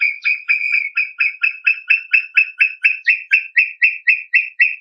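A brown tinamou gives a long, even run of clear whistled notes, about four a second, edging slightly higher toward the end; nothing else is heard.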